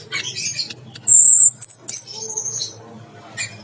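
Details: Orange-headed thrush in a bathing cage, singing 'teler gacor': a scratchy opening phrase, then loud, piercing, very high drawn-out whistles and shorter squeaks, followed by quieter notes.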